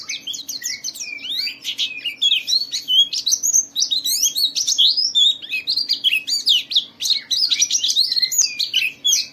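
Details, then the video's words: White-eye lure song meant to set other white-eyes singing: a fast, unbroken stream of thin, high twitters and chattering runs, scarcely pausing for nine seconds, over a faint low hum. "Suara burung Pleci ini Ampuh memicu semua Pleci cepat Buka Paruh dan gacor"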